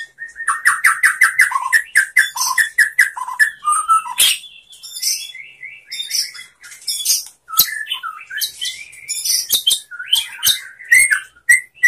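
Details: White-rumped shama song used to train shamas and fill out their repertoire: quick paired whistled notes repeated rhythmically, then a sharp crack and a varied flow of slurred whistles, rattles and high chips.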